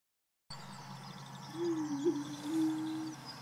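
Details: Male Greater Prairie Chicken, Tympanuchus cupido pinnatus, booming in courtship display on a booming field in central Wisconsin: one low, hollow, steady moaning boom held about a second and a half, with a faint hiss of wind behind.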